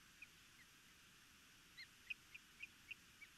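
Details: Nest-defending Osprey in Missoula, Montana, 11 May 2021, calling while an intruder flies overhead: a faint, quick run of short high whistled chirps, irregularly spaced about every quarter second, against constant hiss.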